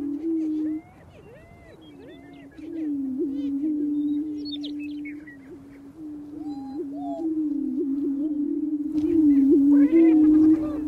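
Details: Greater prairie chicken males displaying on a prairie lek in spring: low booming hum with curved whoop calls, a quieter lull mid-way, then louder overlapping cackles and a burst of harsher notes near the end.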